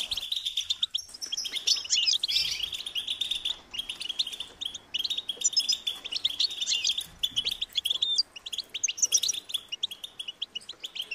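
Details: Goldfinch chicks, European goldfinch, call for their parents to feed them: continuous high-pitched twittering with buzzy, warbled chirps, a louder flurry after two seconds and steady chatter to the end.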